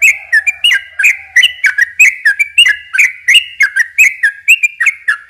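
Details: [1, 'Yellow-vented bulbul in long, continuous rapid song, used to lure and provoke young birds: short slurred whistled notes repeated about four per second, rising and falling, with a faint low steady tone early on.']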